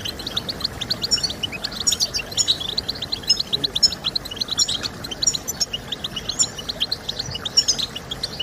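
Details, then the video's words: European goldfinch song for encouraging other goldfinches to sing: fast, high twittering of short chirps and trills, tightly packed with brief bright notes, over a steady broadband hiss. "Stimulating Birds with Goldfinch Sounds"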